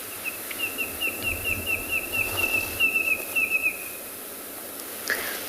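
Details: A small red-crested korhaan in a South African game reserve, afternoon of 27 November 2020, makes rapid dry, high beak-snapping clicks, several each second, the snapping that precedes its call and its falling display.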